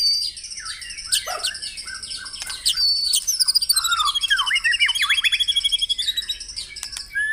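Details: White-rumped shama in a morning dewing recording aimed at caged birds: layered high whistles over a run of fast, evenly repeated notes, roughly three per second, with scattered clicks and down-slurred calls.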